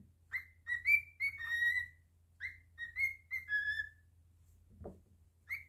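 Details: Singing pet cockatiel whistling short bright phrases of sliding, warbled notes in two bursts, a soft thump near the end, and a faint low room hum throughout.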